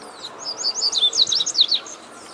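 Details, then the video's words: Double-collared seedeater singing free in nature, one of five wild birds: a fast run of high, sweeping whistled and chirping notes, rising and falling in quick succession for about two seconds over a quiet background. "5 COLEIROS CANTANDO SOLTO NA NATUREZA PRA FOGUEAR SEU COLEIRO"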